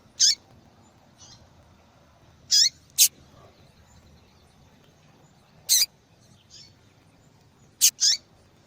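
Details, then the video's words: Female double-collared seedeater calling to attract males, a sound breeders play to stimulate a silent male; around seven short, high-pitched chips, often paired in quick succession, irregularly spaced, with faint softer notes between. "Fêmea de Papa capim Chamando Muito"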